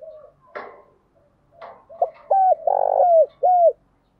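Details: Spotted dove used as a decoy, its provocative cooing urging a newly caught rival to fight; two rustling knocks and faint coos precede a loud phrase of short and drawn-out deep, vibrating coos.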